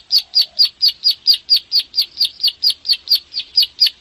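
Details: Bar-winged prinia from Indonesian rice fields, a caged songbird used as a model to make others sing; evenly spaced, sharp, high clicking notes roughly twice per second, with a brief faint low whistle near the start.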